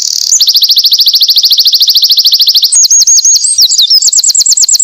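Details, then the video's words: A Winter Wren sings vigorously, recorded as a tutor track for small birds: a long, very rapid, high-pitched trill of evenly spaced notes, breaking into a tumbling, twittering run of varied high notes. "burung winter wren gacor"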